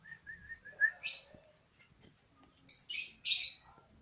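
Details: Sooty-headed bulbul song: a short run of soft, even whistled notes, then a pause and several loud, harsh, buzzy bursts close together near the end.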